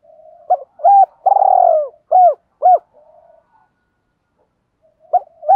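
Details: Spotted dove cooing in soft, low, hollow notes: a drawn-out coo, then several short arched coos in quick series, described as a fighting or challenge call.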